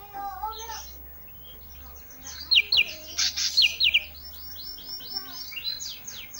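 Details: Olive-backed tailorbird (ranting) in lively song: a burst of five sharp, high, down-slurred notes midway, surrounded by varied whistles, warbles and twittering from other birds.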